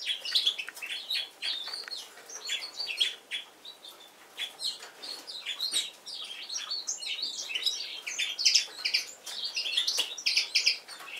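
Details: A Yellow-throated bunting warming up its song gives a steady run of high, thin chirps and twittering notes, packed closely together with hardly a pause, against quiet background hiss.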